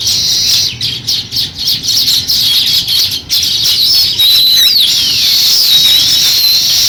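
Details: Sparrows starting to build a nest, giving fast pulsing high chirps at first, then a smoother stream of twittering with a few downward-sliding notes.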